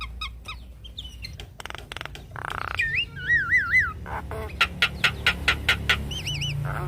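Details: Tutoring recording of Javan myna song meant to get kept mynas singing: scratchy clicks and squawks, then looping wavy whistled trills, followed by a fast series of sharp repeated notes.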